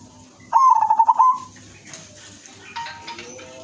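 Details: Sweet-voiced female silver zebra dove, a lure bird for all kinds of zebra doves, utters a single fluttering trilled coo near one second long, followed by softer rustling and scattered background sounds.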